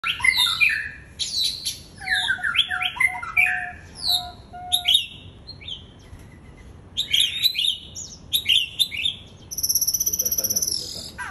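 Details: White-rumped shama singing, recorded 11 January 2021: a loud, rich and varied outpouring of whistles, slurred notes and sharp chips in changing phrases, with a few short pauses and a fast high trill near the end.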